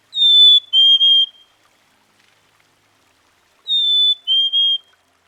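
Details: Black-capped Chickadee (Poecile atricapillus) gives its clear whistled fee-bee song twice, a high sweet note then a slightly lower wavering two-part note, about two seconds apart; such songs serve communication and recognition of individual birds.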